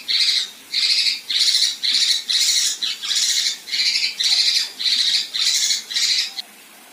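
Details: Female Kinoi producing 'besetan' rough rasps for training contest birds: a rhythmic series of loud, hoarse hissing bursts at just under two per second, stopping abruptly near the end.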